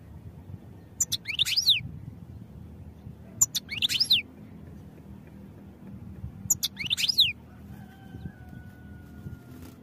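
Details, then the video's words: European goldfinch song for training: three brief clusters of bright, high chirps with sharp down-slurred sweeps, spaced every few seconds, a faint steady tone near the end and low rumbling noise beneath. "Goldfinch Songs for Training"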